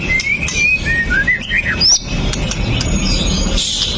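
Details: White-rumped shama, a pastol bird with sharp shots, provoking song recorded on a phone: a quick series of whistled slurs climbing to a high upsweep, then fainter notes in persistent background noise.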